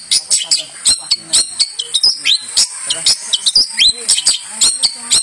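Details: Long-tailed shrike, a champion bird used as a model song for training other birds: rapid mix of sharp chirps, clicks and high whistled slurs, many short notes packed together, with faint low background murmur.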